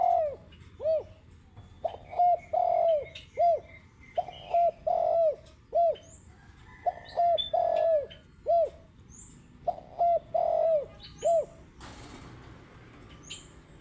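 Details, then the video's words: Spotted dove singing vigorously: low, soft cooing notes in short, uneven groups, often two or three coos close together with pauses between. Thin high chirps from other small birds throughout, and a brief noisy rustle near the end. "Burung Tekukur Gacor"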